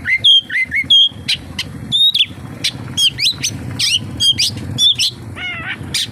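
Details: Oriental magpie-robin delivering kapas tembak-filled song, quick whistled phrases and sharp high chips in a busy stream, with a brief nasal harmonic note near the end.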